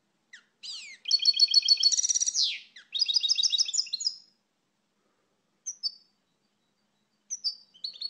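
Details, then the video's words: Fast bright twittering and tinkling trills from a European goldfinch, with a buzzy sweep, then a long pause broken by a few sharp single chirps. "Canto do Pintassilgo Português, pássaro com canto bonito (Carduelis Carduelis)"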